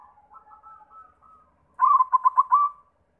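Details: Local zebra dove starting with quiet, soft wavering notes, then a louder burst of five or six quick, pulsed, bubbling coos.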